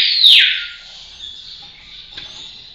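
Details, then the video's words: Rose-collared piha giving one loud, piercing whistle that sweeps downward and then fades into a thin echoing tail. "Canto do pássaro cricrió de cinta vermelha"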